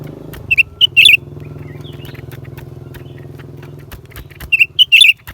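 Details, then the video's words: Lesser green leafbird, January 2023: clipped whistled notes open and close the recording, while a passing motor vehicle drones loudly through the middle section. "เสียงนกเขียวกลาง ปีกสีฟ้า suara cucak ranting"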